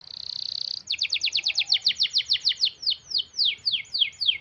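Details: Canary singing a long, tight rolling song, used as a lure to prompt canaries slow to sing: a steady held whistle, then rapid descending sweeps repeated about three per second, slowing toward the end.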